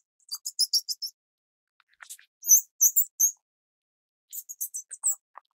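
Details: Chicks of the Grey-cheeked fulvetta (Alcippe morrisonia morrisonia) during feeding: rapid, very high squeaky chirps in three quick bursts, with a few faint lower clicks between the groups.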